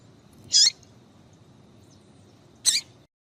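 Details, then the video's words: Piadeira female papa-capim (Double-collared Seedeater) calling to arouse males: two clear, sharp, high chip notes about two seconds apart over quiet background. "Fêmea De Papa Capim Piadeira Esquenta Qualquer machos"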